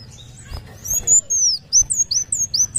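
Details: Sunbird, locally called kolibri wulung, singing actively: a run of high, thin, sharply down-slurred whistles, quickening toward the end over a faint low hum.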